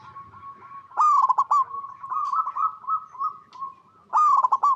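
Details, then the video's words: Lively local zebra dove song: a sharp stuttering coo burst running into a long, wavering sequence of soft coos, then a fresh loud burst about three seconds later. "PERKUTUT LOKAL GACOR Suara Paling AMPUH | Pancingan Semua Burung Perkutut Bahan Agar Nyaut Bunyi"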